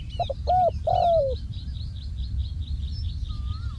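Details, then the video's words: Decoy spotted dove calling from the ground while being used to decoy wild doves: one phrase of two short coos and a drawn-out falling coo, small birds chirping high and steadily behind. "ต่อนกเขาใหญ่ EP58 นกเขาใหญ่ต่อดิน"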